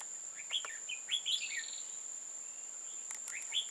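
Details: Red-whiskered bulbul singing during a bird-trapping session on 15/10/2018: short, clear whistled phrases that rise and fall at about 0.5, 1.1–1.5 and 3.5 seconds, over a steady high-pitched whine that runs throughout.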